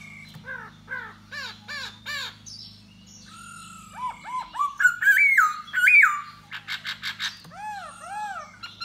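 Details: Da Bò laughingthrush courting a female with song and dance: repeated harsh arched notes, then loud ringing stepped whistles and a burst of rapid strident notes, a low hum running throughout.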